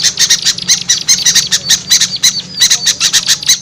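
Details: Lure sound for drawing in small birds: small birds chattering in quick bursts of high, clipped chips with occasional thin whistled notes, a short lull near the middle.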